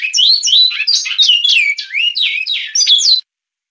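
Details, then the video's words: Song of a Great-billed seed-finch, Goiano Clássico style, Batuque line: a dense stream of looping, slurred whistles and warbled notes for about three seconds, ending abruptly into silence. "Canto de Bicudo Goiano Clássico - CGC - linha Batuque"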